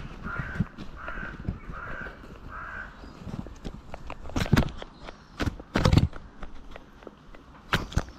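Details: Gulls eating, recorded from ground level: four harsh calls repeated about every half second, followed by loud thuds, taps and rustling from feeding birds close by.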